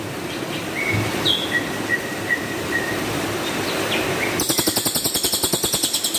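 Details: Cililin master song in rough tembakan kasar style for training champion birds: faint thin whistles over steady background hiss, then a harsh pulsing, crackling volley rising sharply for the last two seconds.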